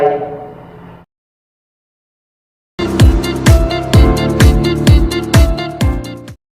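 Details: A brief music fade, then silence, then a loud electronic track with a steady thumping beat and no animal sounds.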